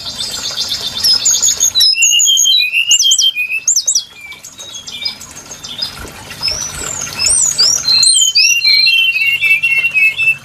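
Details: Trapping-lure song of the brown-chested jungle flycatcher: lively, high whistled phrases with rapid up-and-down slurs, a quieter stretch of thin notes in the middle, then another loud burst of chattering whistles.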